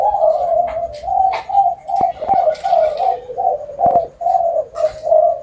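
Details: Spotted dove giving a steady run of deep, throaty coo notes in rhythmic pulses, with some faint chirps and clicks behind it.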